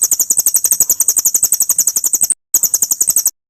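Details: Murai (magpie-robin) training song for songbirds: a dense, fast rattle of shrill high notes, around four each second, cut by one short pause and resumed.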